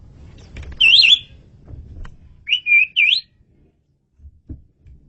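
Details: Asian pied starling in full song for bird training: two phrases of wavering, looping whistles, the second a run of three rolling notes, followed by quiet with a few soft knocks.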